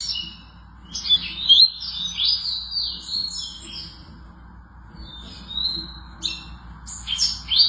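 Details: Double-collared seedeater singing a fast, varied, high warble of twittering phrases, trills and sliding whistles, broken by brief pauses, with faint low hum beneath.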